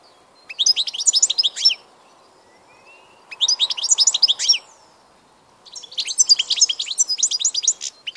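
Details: European goldfinch song recorded 16 March 2014: three bursts of fast, bright, tinkling twitters and liquid chirps, each lasting one to two seconds, separated by short silences.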